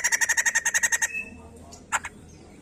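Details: White-crested laughingthrush song meant to prompt other birds into singing: a quick one-second run of about ten buzzy pulsed notes, then near silence with a single short harsh note.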